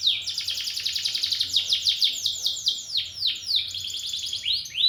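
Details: Champion canary singing: fast, rich song of rapid repeated trills and rolling phrases, with downward-sweeping whistled notes around the middle and a quick rising flourish near the end. A faint low hum runs beneath.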